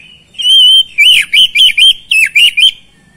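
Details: Oriental magpie-robin singing, meant to spur silent birds into song: a sustained clear whistle, then a rapid series of loud, wavering, slurred whistled notes with harsh overtones, repeated about six times.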